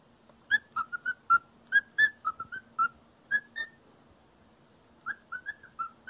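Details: Pet parrot whistling a learned tune toward a feather duster indoors; clear mid-pitched whistled notes in quick bouncy runs, a pause of over a second, then another short run, with a faint low hum behind.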